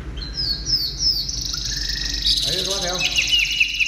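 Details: Chinese hwamei in a cage, just uncovered and singing hard: quick high rising whistled notes, then a steady buzzy stretch and short repeated chirps, while a person talks briefly in the background.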